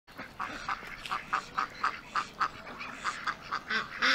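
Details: Ducks on a small lake or pond at an urban farm, a chorus of short nasal quacks repeated several times a second, some overlapping, with a louder harsh call at the end.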